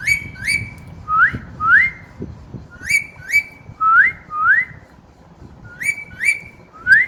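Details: Pet parrot that has newly taken up whistling, giving pairs of clear rising whistles, some upward-sweeping, others a sharp rise then a held level note, repeated across the whole stretch over a low indoor hum.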